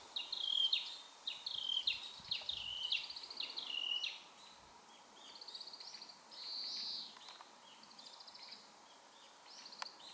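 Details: Narcissus flycatcher singing from an overhead wire on a wooded mountain path, Mount Maya, Japan, 4 June 2017; loud whistled phrases at first, then quieter buzzy, trilled bursts amid faint background noise.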